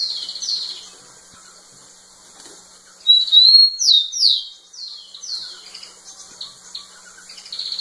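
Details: Rufous-collared sparrow singing insistently to a female: opening descending whistle, then a loud sustained whistle with several sharp falling slurs, trailing into softer repeated notes.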